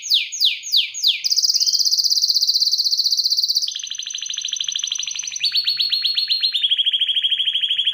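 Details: An agitated canary singing: rapid high trills of repeated notes, first a few falling sweeps, then long fast rattling runs that step down in pitch through several phrases, loud and continuous.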